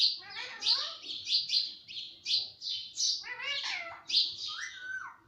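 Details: Ringneck parrot that copies words like papa and mummy: a quick stream of bright, high chirps, then several gliding, voice-like notes that fall in pitch near the end.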